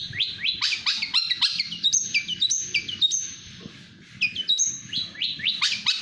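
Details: Speed-style singing from a national champion cendet (long-tailed shrike): rapid falling whistled notes and sharp high slurs about four per second, with a brief pause midway before the fast phrases resume.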